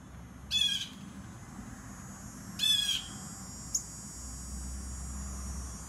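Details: Two harsh, nasal jay calls from a Blue jay about two seconds apart, followed by a tiny high click, recorded from afar without approaching the wary bird; steady faint hiss behind.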